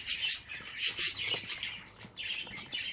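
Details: Young budgerigars, fifteen chicks gathered, make scratchy, buzzy high calls in bursts, a loud cluster near the first second, then rising wheezy notes later.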